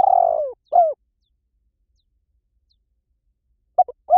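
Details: Spotted dove call used as a decoy to lure wild doves in any forest: a soft, low coo falling in pitch, a short second note, a long silent pause, then brief clipped coos resuming. No other sounds.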